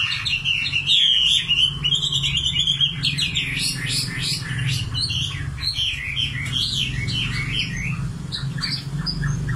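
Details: Nightingale song with a clear rising whistle followed by rapid, varied repeated notes and chattering trills, delivered loudly against a constant low-pitched background hum.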